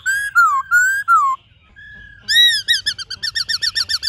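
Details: White-cheeked laughingthrush in varied forest-style song: three falling whistled notes, a soft level whistle, then a loud swooping note followed by a rapid run of short repeated chirps.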